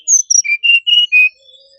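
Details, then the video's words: Song of a brown-chested jungle flycatcher: six pure whistled notes in quick succession, the first two high and the rest dropping to a lower, steady pitch, each note distinct and evenly spaced. "Sikatan Rimba Dada Coklat"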